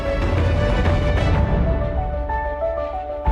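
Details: Instrumental theme music plays with layered sustained tones and a deep bass pulse, and no animal sounds.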